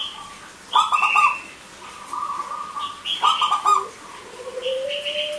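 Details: Zebra dove, local type, giving two quick clustered bursts of pulsed notes about 2.5 seconds apart, with higher whistles and a slowly rising low tone in the background; played to get silent doves calling.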